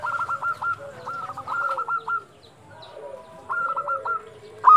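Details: Local zebra dove at dusk giving short trilled clusters of staccato coos, three separate bursts with pauses, a lower cooing line beneath and a quiet background.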